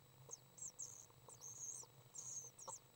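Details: Three young common swifts during a feeding session on May 30th 2012, giving short, very high, thin trilled chirps in quick bursts, with faint low hum and soft knocks in the background.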